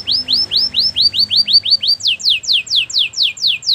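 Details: Spanish Timbrado canary delivering a steady tour of rising whistled notes about four per second, then changing to a run of sharply falling whistles at the same pace.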